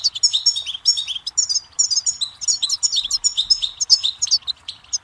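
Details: Goldfinch song heard steadily for several seconds, a sparkling chatter of quick high chirps, slurred whistles and buzzy trills strung together without pause, over a faint low background hum.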